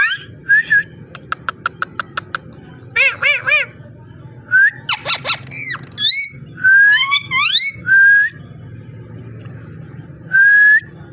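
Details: Ringneck parrot talking and voice: a rapid row of sharp clicks, warbled wavering notes, a burst of harsh up-swept calls and several clear level whistles over a low background hum.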